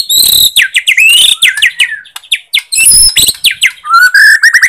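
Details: Borneo white-rumped shama singing, a recording meant to goad shamas that lack fire or have stopped singing. Fast mix of high chips, buzzy notes and downslurred whistles, ending in rising whistled phrases.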